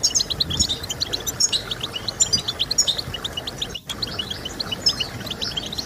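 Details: European goldfinch song played to stimulate other goldfinches to sing: dense, fast twittering of short high chirps and bright tinkling notes, nearly continuous, over a steady low background hiss with a brief dropout mid-clip.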